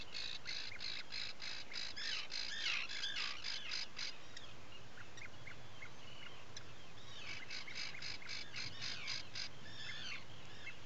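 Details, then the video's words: At a breeding-colony burrow on Seal Island National Wildlife Refuge in Maine, early morning of 12 July 2018, an Atlantic puffin site: bursts of fast, scratchy pulsed calls, a pause with faint chirps, then the rasping series resumes amid constant hiss. "Puffin Burrow Cam"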